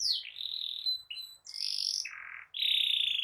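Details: Canary rolling song meant to tutor young canaries and restart silent ones: long steady whistled tones broken by short slurs, a lower buzzy roll, then a sustained pulsing note.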